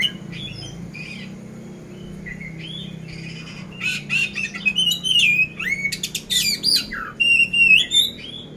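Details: Caged oriental magpie-robin (poci) in Magelang, Central Java, ready for competition: soft opening notes, then loud rapid sequence of rasping bursts and rising-falling whistles with harsh 'isian kasar' fill.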